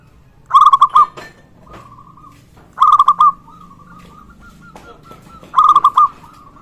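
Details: Zebra Dove of local stock, in full voice, calling to coax other zebra doves into calling and to heighten a rival's arousal; rolling trilled coos followed by drawn-out steady notes, three phrases in quick succession.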